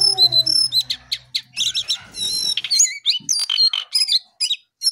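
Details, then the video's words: In the early morning a Brown songlark sings busily, pouring out high whistled notes, rising and falling slurs, and quick chirps in close succession. A low hum sounds faintly in the background at first. "Jongkangan/cingcoang coklat Gacor Pagi Sekali"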